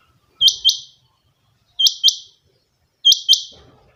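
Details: Owner's rain quail (chinga batair) giving three bright, high-pitched two-note calls, the paired notes rapid and clipped, spaced roughly 1.3 seconds apart with silence between.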